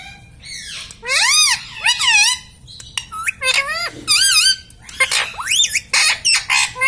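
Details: Pet green ringneck parrot mimicking speech, saying words like "Mummy" and "Mitthu": shrill, rising-and-falling voice-like phrases in bursts about a second apart, with squawky syllables in between.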